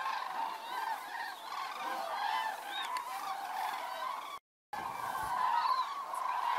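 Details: Common cranes arriving at their roost at dusk near Federow, Germany, in early October during drought-lowered water: a steady chorus of loud trumpeting calls, many birds at once, with a brief silent gap near the end.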